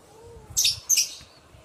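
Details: Two quick harsh lovebird screeches, given as a lure for other lovebirds to respond, preceded by a faint low whistle.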